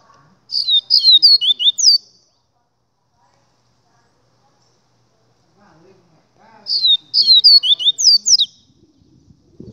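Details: Double-collared seedeater delivering two similar song phrases about six seconds apart, each a fast run of high, sharp, downslurred whistles lasting roughly a second and a half, with near silence between.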